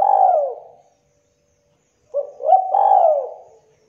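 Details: Local Indonesian spotted dove, a prolific caller, used to stir young doves into calling: a soft opening coo fades out. After a silence comes a stuttering, rising lead-in and then a long, drawn, falling coo. Background otherwise quiet.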